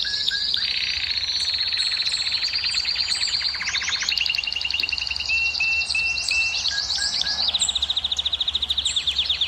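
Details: Canary delivering a dense, continuous song to rouse females for breeding: a cascade of rapid rolling trills at shifting pitches, buzzy stretches, and short whistled notes, all in quick succession.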